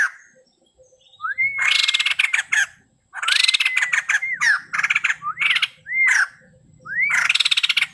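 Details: Male white-crested laughingthrush in full song: upslurred whistles rising to a held note, each running into loud harsh rattling chatter, in bursts separated by brief pauses.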